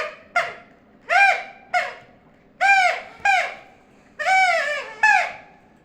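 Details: Talking parrot giving a run of short, harsh, harmonic utterances. Each one starts abruptly and slides downward in pitch. There are about seven bursts in six seconds, separated by brief quiet gaps.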